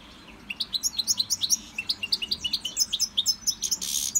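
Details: Caged European goldfinch, in a Victorian brass cage and learning song from a CD, gives a steady run of rapid, high, bouncing chirps, several per second, ending in a hissy burst.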